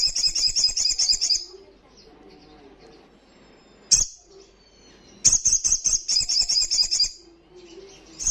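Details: Olive-backed Sunbird delivering loud 'gacor ngalas' song: fast buzzy high trills in two bursts, separated by quiet stretches with a single sharp chip.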